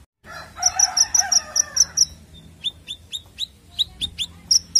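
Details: Konin (sunbird) lure song for training songbirds: a fast run of sharp, high, evenly spaced chirps, then a slower series of bright descending chips, with a lower buzzy chatter under the opening notes.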